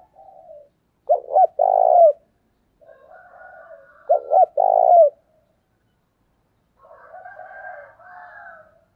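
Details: Spotted dove kept as a decoy bird, cooing to lure wild doves. Phrases of two short notes then a longer rolling coo, about every three seconds, with fainter softer cooing and higher warbling between them.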